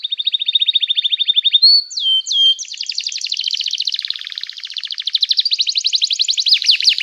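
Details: Lively canary song used to prompt silent canaries to sing: a long even rolling trill, a few sliding whistles, then fast rattling and chattering phrases rising and falling in pitch.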